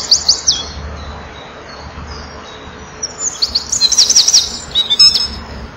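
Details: On 7 June 2012 at 16:57 a male Eurasian wren at a breeding-wall camera sings vigorously toward nearby females: a few sharp high notes, a quiet stretch, then a tumbling run of shrill twitters and trills.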